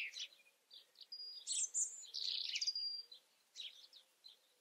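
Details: Song of a European robin, a varied phrase of high, sharp twitters and squeaky whistled notes, loudest in a bright burst at mid-phrase, then fading into a few quieter chirps.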